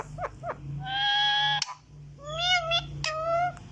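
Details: Green talking parrot imitating a cat's meow: a few short nasal upslurred notes, then a long level whining mew and two more drawn-out meows, over a steady low hum and background music.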